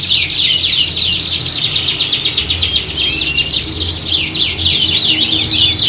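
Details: Canary squad singing in a contest-like atmosphere to train young singers: fast repeated high sweeps, about four a second, woven into a dense, continuous trilling chorus with a soft low hum.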